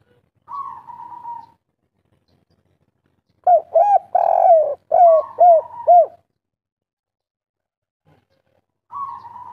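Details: Spotted dove (tekukur, derkuku) of local stock in 'kuk 3' song. A flat drawl is followed by silence, then a compact cluster of six arched coos. After a long pause the drawl starts again.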